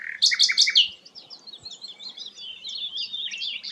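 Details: Sikatan londo, a rare flycatcher, opens with four loud, sharp repeated chirps, then runs into a softer, rapid twittering chatter of high notes.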